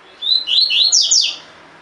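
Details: Tui tui fibra song of a caged double-collared seedeater, the training style: one rapid phrase of about five bright, high whistled notes, each sliding downward, in quiet surroundings.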